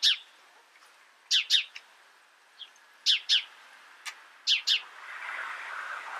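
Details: House sparrow chirps: sharp, bright notes mostly given in quick pairs, each pair about one and a half seconds apart, with a few single softer chips between and a faint rushing background toward the end.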